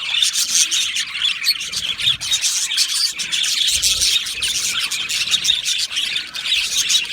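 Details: Australian budgie colony in an aviary, 12 July 2025, with continuous shrill chirping, squeals and warbled twitters from many birds at once, all in a constant high-pitched din.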